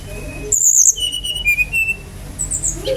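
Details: Brown-chested jungle flycatcher singing as a lure to prompt other birds to sing: a high thin whistle, then a run of short clear whistled notes at a lower even pitch, over a steady low hum.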